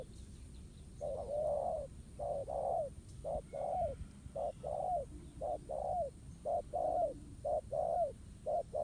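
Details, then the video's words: Wild spotted dove cooing back at a ground decoy during trapping, a contest between the birds: low hollow coos in short-then-long pairs, each long note arching down, repeated about once a second with slight overlaps, steady rural background hiss. "Bẫy cu gáy mồi đất. Kèo đấu quá hấp dẫn, bổi gù quá tốt."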